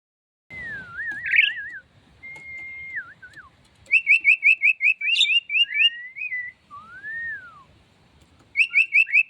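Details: Female Javan pied starling singing actively while pumping: varied clear whistles, a wavering slurred note, a rising-falling whistle, and bursts of rapid high trilled notes, separated by short pauses and faint background noise.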